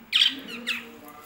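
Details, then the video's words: Lovebirds kept as pets indoors: two sharp, harsh squawks, the first loud and sliding down, the second softer, in a small room with a low steady hum behind. "love birds kothai birds speaking"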